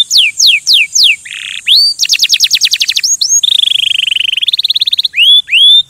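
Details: Canary singing nonstop in a continuous chain of high, bright tours: repeated falling whistled sweeps, then a fast rattling trill, a rolling sustained phrase, a rapid chattering series and rising upslurred notes; no other sounds.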